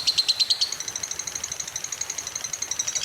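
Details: Lovebird prompting song for coaxing long ngekek trills from other birds; a few loud high chirps lead straight into a fast, even, thin trill held for the rest of the passage.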